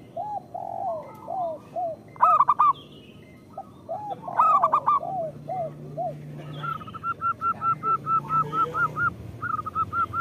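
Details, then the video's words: Local zebra doves in full song, used as a lure recording to stir lazy doves into cooing. Rolling series of mellow, bubbling coos, then a bright burst of quick notes and a steady run of evenly spaced clipped coos near the end. "Perkutut lokal gacor Suara Pancingan Paling Disukai Burung Perkutut"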